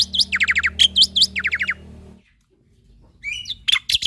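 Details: Energetic song of a male jalak putih (Black-winged Starling) meant to train young starlings: a quick series of bright down-slurred whistles and trills, a short gap, then a few rising whistled notes.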